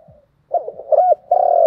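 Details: Spotted dove cooing without pause, thúc gù: a faint low note, then a jumble of short throaty coos building into a loud, steady, sustained coo at the end.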